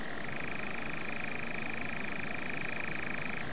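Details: Steady, rapid churring trill of a European nightjar on a Norfolk heath, sustained without a break for over three seconds above a constant low background rumble.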